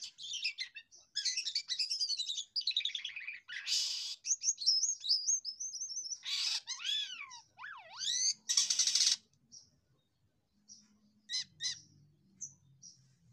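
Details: Jalak kapas myna singing 'losdol', flowing without pause. Repeated quick chirps and long whistled slurs mix with rasping bursts and deep swooping notes. The song thins into soft, sparse calls in the last seconds.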